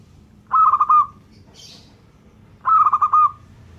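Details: Local zebra dove repeating a pulsing, trilled cooing phrase twice, about two seconds apart, with a brief high hiss between them and low background rumble.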